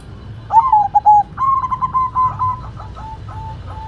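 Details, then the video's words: White zebra dove in lively song: a rapid series of short, evenly pitched coos, stuttered and bouncing, about two and a half per second, then fading notes over steady low hum. "Perkutut Putih Gacor Suara Mantul"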